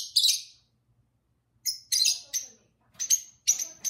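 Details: Pet lovebirds, two birds singing with their owner: loud piercing chirps in rapid clusters, separated by short pauses, with faint human voice underneath.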